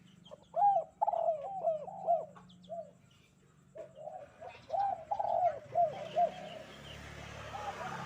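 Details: Spotted dove cooing on a bright morning, in a run of short, mellow, arched coos that come in quick bursts of three to four notes, with a low hum underneath and a rising hiss toward the end.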